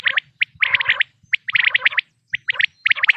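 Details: Quail heard for hunting. Sharp, clipped notes bunch into quick rattling groups separated by short silences over a faint low murmur.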